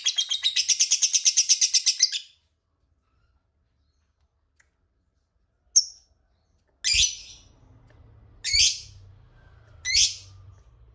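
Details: Lovebird giving a long ngekek, used as a lure to get rival lovebirds to answer: a fast, harsh chattering burst of about two seconds, then a pause and four separate sharp squawks, with a low hum underneath.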